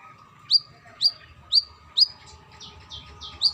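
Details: Female brown-throated sunbird calling a male: four crisp, high upslurred chips at half-second intervals, a short run of softer blurred notes, and one final chip, with a low steady hum throughout.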